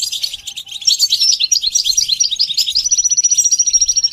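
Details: Rapid high chirping from a goldfinch, a tight series of repeated twittering notes that settles into a fast, even, thin trill.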